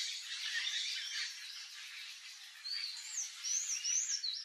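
Palm tanager giving a rapid, squeaky run of high twittering notes with thin upslurred whistles, busy and unbroken for several seconds.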